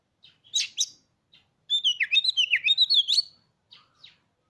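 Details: Caged Oriental magpie-robin, bought three days earlier after staying silent with its former owner, sings: a few harsh buzzy notes, then a rapid run of high whistled, warbling notes rising and falling for about a second and a half, ending in faint chips.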